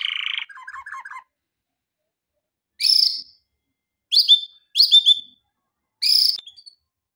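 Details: Male canary song used for training: a short buzzy trill and quick chirps, then after a pause four separate bright high bursts spaced about a second apart, against silence.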